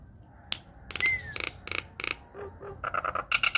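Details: Nias hill myna, a lure recording meant to provoke other mynas into singing: sharp clicks and snapping notes, one clear falling whistle, then short low hoots and a quick run of rasping bursts.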